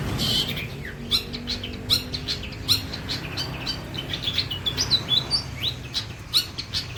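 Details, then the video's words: Long-tailed shrike of the white-breasted type in a training song for other songbirds. It gives a varied, jumbled medley of short squeaky notes, sharp upward flicks and harsh chips, closely spaced over steady low background noise. "CENDET DADA PUTIH MATERI MEWAH BOLO"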